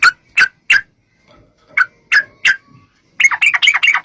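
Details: Yellow-vented bulbul, known as trucukan, in a lure song for drawing replies from other bulbuls; spaced single sharp chirps, then a sudden rapid burst of bubbly chattering notes at the end.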